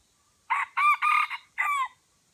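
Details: Wild red junglefowl in Aceh, Indonesia, one of two birds drawn in by a lure bird, gives a crow of four harsh, hoarse segments: a short opening note, a long two-part middle phrase, then a drawn-out ending, in quiet surroundings.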